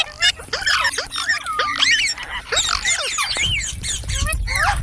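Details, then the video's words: Green parrots in a group give dense, rapid squawks and curling whistled notes that overlap constantly, with a few sharper screeches and a low background hum toward the end. "Beautiful Green Parrots Talking | Funny Parrot Sounds"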